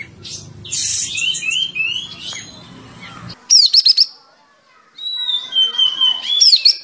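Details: Sooty-headed bulbul in full song with its tail opened, for training other birds: a muffled whistled phrase over low rumble, then a sharp stuttering burst of high notes and a long level whistle ending in quick flicks.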